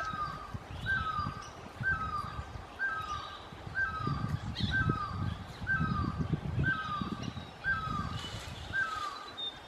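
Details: Orange-headed thrush at Sattal giving a short, mid-pitched, slightly falling note about once a second, nine or ten times, over a steady low rumble of wind.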